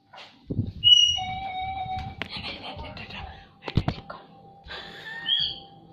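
A myna gives a sharp rising whistle, then steady piping tones and bursts of harsh, scratchy chatter, with some speech-like babble in a small room.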